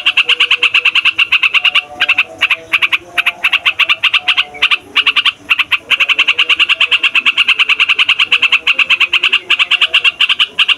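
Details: Rolling chatter of a yellow-vented bulbul used to lure and tutor young birds: fast repeated sharp notes running over ten seconds, broken into short bursts, then a long steady stretch.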